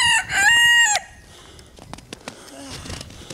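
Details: A Pekin bantam rooster, a Chinese dwarf chicken breed, crows on command: a loud, harmonic cock-a-doodle-doo lasting about a second that rises and then holds level, followed by quiet rustling and soft clicks.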